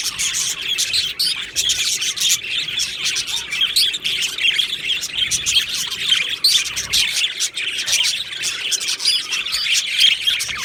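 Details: Budgerigar colony in an aviary chattering nonstop: dense, overlapping high chirps and warbles from many birds at once, with no pauses across the stretch.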